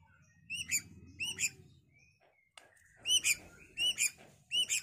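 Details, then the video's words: White-rumped shama sound meant to provoke rival birds into fighting and singing: bright, high chirps in short paired bursts, repeated about once a second after a brief quiet gap, with faint low background rumble. "Suara MURAI BATU GACOR tarung efektif pikat bunyi murai bahan"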